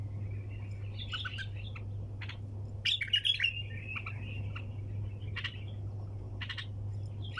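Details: Nonstop 'tour sayyad' singing from a bulbul: chattering warbles, then a loud, sharp burst around the middle, followed by repeated brief clipped notes, all over a persistent low hum.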